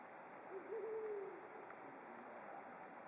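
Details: Brown wood owl giving a single low, wavering hoot lasting under a second, fading into a steady hiss of background noise.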